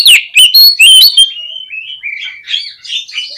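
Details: Lure song of an Oriental magpie-robin aimed at getting birds to answer and spread their tails: loud piercing whistles and chips at the start, then a softer, descending, warbled phrase.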